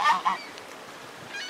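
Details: A tame goose that seems to be missing a companion gives two quick loud nasal honks in succession, followed by near quiet.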